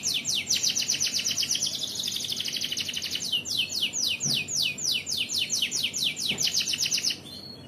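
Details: Indonesian canary singing gacoran, the vigorous competition-style song: fast chains of high, sharply falling notes repeated several times a second in pulsing bursts, briefly smoothing into a trill, then stopping abruptly near the end.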